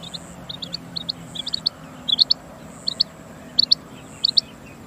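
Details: Rain quail linked to hunting, delivering brisk high doubled notes, around eight pairs spaced irregularly, with a low faint hum in the background.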